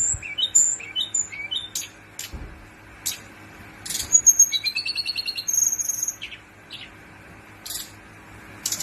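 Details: Male Brown-chested jungle flycatcher in a long rolling song of bright, high whistles, fast twittering runs and sweet sliding notes, in bursts with brief quiet gaps between phrases.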